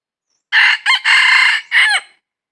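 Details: Crowing red junglefowl recorded on 22 December 2021 while wild junglefowl were being trapped; one harsh four-syllable crow with a prolonged middle and falling last note, no other sounds.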